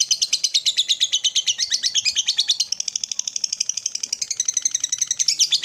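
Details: Lovebird rolling trill and chatter, a morning stimulus recording for other lovebirds; dense, scratchy high pulses repeated quickly, slightly changing tone and pace partway through.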